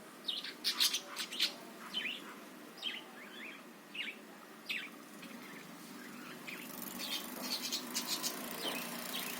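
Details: Budgerigar sounds used to spur other birds into singing: spaced sharp chirps and short warbled notes at first, then a denser high chatter building in the last few seconds, with soft background hiss.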